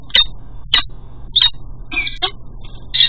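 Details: Male peregrine falcon calling as he delivers food at a cathedral nest: harsh, scratchy calls repeated about every half second, over a low steady hum of traffic.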